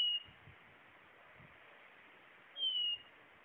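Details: Blue-naped chlorophonia (Chlorophonia cyanea) song: two clear, pure whistled notes sliding slightly downward, about two and a half seconds apart, over a quiet background.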